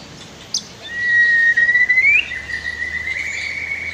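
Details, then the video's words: White-rumped shama from a master recording for training other birds, with river sounds: one long, pure whistle holding steady, then rising at the end and trailing into a fainter held tone, over a constant rushing background. "MASTER KICAU MURAI BATU"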